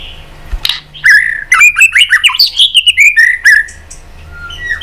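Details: White-rumped shama fighting song used to stimulate other birds: a rich, rapid warble of sweet whistles, chirps and slurred notes packed tightly together, with a faint low hum beneath.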